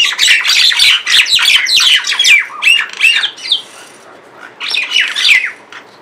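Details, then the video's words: A couple of mynas sitting on a window grill, tweeting about and making various calls: loud, harsh squawking notes in quick runs, about three a second, then a pause and another burst. "A couple mynas sitting on the window grill, tweeting about, and making various calls."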